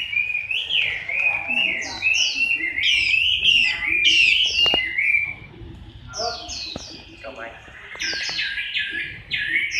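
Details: Chinese hwamei singing during its moult, October 2015: rich run of high whistled and downslurred notes, fast and varied, with sharp clicks and a softer pause before the song resumes loudly.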